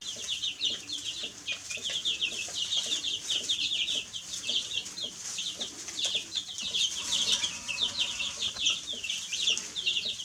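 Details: Baby chicks chirping in a dense, overlapping chorus of high, short descending peeps, many birds calling at once with hardly a pause, over a steady high hiss.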